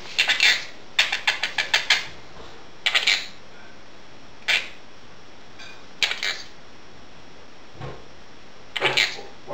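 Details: Pet female quaker parrot chattering indoors while dishes are washed, slowly warming up; short, harsh, broadband bursts come in clusters, some as quick runs of clicks, separated by brief silent gaps, with no human voice.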